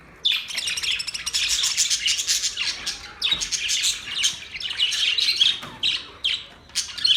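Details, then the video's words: Budgies chattering and singing in a dense, continuous stream of harsh chirps, squeaks and squawky warbles, with brief pauses and a few sharp downward notes. "Budgies birds singing"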